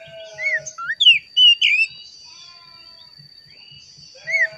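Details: Oriental magpie-robin lure song meant to make caged magpie-robins sing: a cluster of clear slurred whistles, then quiet with soft regular low ticking and a steady high tone, and a closing whistled phrase.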